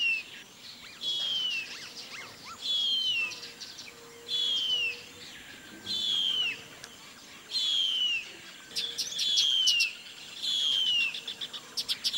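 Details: Lone, fully feathered and grown Harpy Eagle chick in its nest high in the Brazilian Amazon canopy, giving seven loud, thin whistles, each dropping in pitch, repeated roughly every one and a half seconds; faint clicks and a low hum behind.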